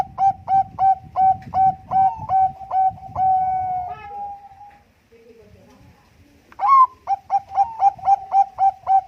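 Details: Zebra dove (Bangkok type) in contest-quality song used as a lure: a run of quick, clipped, high coos about twice a second, a longer trilled note, a pause, then another rapid run.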